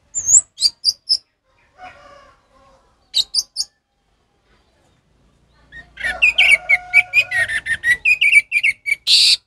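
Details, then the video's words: Orange-headed thrush singing in the ngeplong style, used as a tutor recording for captive birds that have stopped singing. Short bursts of high, thin chirps separated by pauses give way to a dense, rapid run of varied sharp notes and trills near the end. "suara Anis merah ngeplong untuk masteran burung Anis merah macet"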